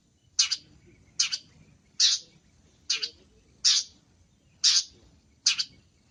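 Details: Long-tailed shrike, a cendet masteran recording full of lively isian phrases: harsh, rasping broadband notes repeated about every second, seven in a row, with a faint low hum underneath.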